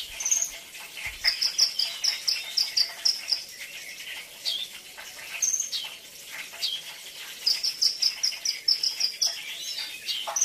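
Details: Brown-throated sunbird, known locally as kolibri ninja, giving an isian (training fill) song: quick series of thin, high, evenly spaced chips at the start and near the end, with single high notes between, over steady hiss.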